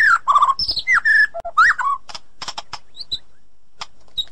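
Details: White-rumped shama singing, edited for clarity as training audio for a bird that has stopped singing: loud slurred whistles and rising notes at first, fading into sparse soft clicks and chips.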